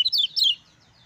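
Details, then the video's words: Lemon-bellied white-eye song used as a master for other birds: two quick high sliding chirps, each dropping in pitch, then quiet. "SUARA KECIAL KUNING GACOR NGEJOS AMPUH RANGSANG KECIAL KUNING CEPAT BUNYI"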